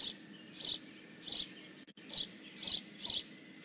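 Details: High-pitched, squeaky chirps from a bald eagle at the nest in Decorah North, 15 May 2017, about six evenly loud notes with a brief dropout midway and a steady low hum beneath.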